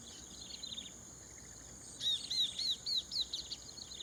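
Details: In Thai rice fields at Prachuap Khiri Khan in 2025, a chestnut-capped babbler calls. Soft distant chips come first, then a loud run of high, down-slurred whistles. A persistent high insect buzz runs throughout.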